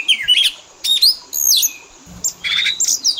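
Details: Oriental magpie-robin fill-in song meant to lure and teach caged birds: thin high whistles rising and falling, separated by short pauses, with a faint low hum in the background.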